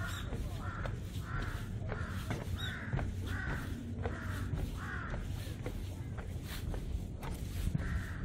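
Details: Crows calling beside a mountain deck road on Bongnaesan's north side in Yeongdo, apparently displeased by people entering their territory; a long run of roughly ten hoarse caws at uneven intervals, with footsteps clicking and low background rumble.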